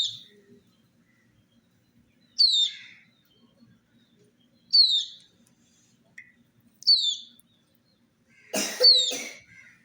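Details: Young colored chickens drinking water during summer give four sharp, descending peeps at irregular gaps. The last one is mixed with a brief knocking clatter, and the background stays quiet.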